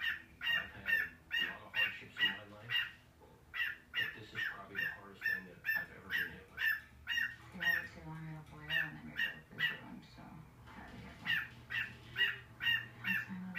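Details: A male pet cockatiel gives short, harsh, repeated yaps mimicking the owner's small dog barking, mixed with the weird clucking sounds he likes to make.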